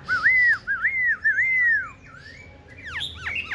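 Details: Black-throated Laughingthrush, tame and caged, said to be competing in song against a Red-whiskered Bulbul: three loud arched whistles in quick succession, then quieter descending slurs and a burst of steep chattering notes.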